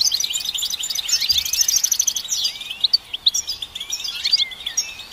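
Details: Dense goldfinch twittering with a rapid buzzy trill at the start, followed by scattered liquid whistles that slide upward, over light background hiss.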